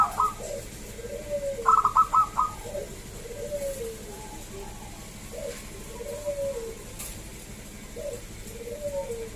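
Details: Local wild zebra dove song, used to lure other doves into singing: a rapid staccato burst of clipped notes, then soft, drawn-out cooing phrases repeating lower down, with more than one dove calling over a steady low hum.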